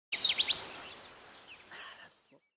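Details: Kirtland's warbler (Setophaga kirtlandii) singing in Huron National Forest, Michigan, on 28 May 2012: a loud burst of sharp, chippy notes trailing into quicker, softer phrases within two seconds, over steady background hiss.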